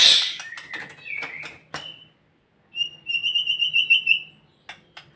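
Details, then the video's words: Captive-bred white-rumped shama in trotol mode: harsh scratchy notes and a short whistle, a pause, then a steady rapid trill of about ten high notes, and faint clicks at the end. "murai batu lepas trotol gacor dorr"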